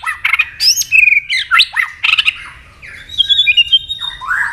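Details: White-rumped shama, tail-snapping while giving a fighting song to provoke rivals: dense jumbled whistles and chattering notes, a pause, then a high level twitter and a rising slurred phrase.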